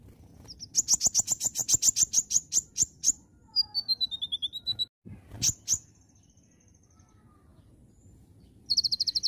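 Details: Oriental magpie-robin in lively song: a rapid burst of sharp high chirps, then a clear whistled series stepping down in pitch, a brief pause, and another fast run of bright notes.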